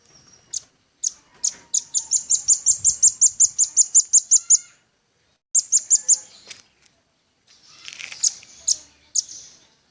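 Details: Velvet-fronted nuthatch singing actively, recorded as a lure and tutor for kept birds: a few spaced high chips build into a fast, regular series of about fifteen sharp notes, then shorter bursts of three to four chips.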